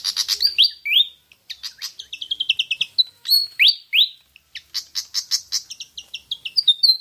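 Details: Pied fantail, the bird called kipasan, singing as a lure: lively mix of sharp high chips, short rising whistles and brief descending slurs, delivered in quick irregular bursts with short pauses.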